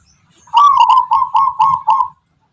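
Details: Local wild zebra dove of the Tuban tangguh type, whose rhythmic, melodic song is said to be distinctive: six quick cooing notes, each with a soft trilled start, repeated in a steady series and then stopping. A faint low murmur sits underneath.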